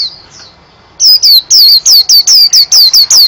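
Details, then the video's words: Two soft, thin high notes open before the white-eye breaks into a loud, fast series of about ten shrill downslurred whistles, evenly spaced and crisp. "BURUNG PLECI"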